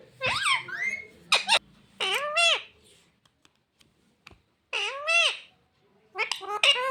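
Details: Parrot said to say "mummy papa" chatters in four bursts of speech-like syllables with arching pitch, separated by near-silent gaps with a few faint clicks.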